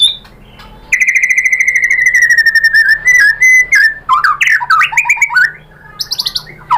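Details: White-rumped shama song used as a lure to make a bird answer and sing: a fast run of about twenty identical sharp notes, then swooping whistles and a burst of varied slurred phrases before a quieter trill.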